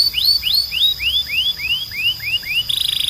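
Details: Belgian canary in strong, clean training song: nine rising whistled sweeps, spaced about a third of a second apart, followed by a quick buzzy trill.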